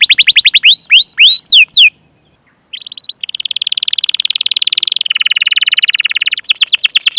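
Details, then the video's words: Canary song played as a prompt to get other canaries singing: loud whistled cheeps sliding up and down, a short pause, then a long fast rolling trill with a buzzy middle section and a final burst of rapid notes. "Masteran Suara Burung Kenari Gacor Panjang cuit cuit Ngerol untuk Pancingan Kenari!"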